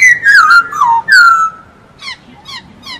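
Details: Masked laughingthrush singing actively: loud whistled phrases sliding downward, a long falling slur, then three short downslurred notes spaced about half a second apart.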